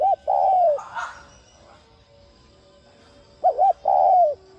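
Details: Spotted dove repeating its coo to stimulate other doves to coo: a long falling coo, a brief scratchy sound, a pause, then a clipped double note and another long descending coo.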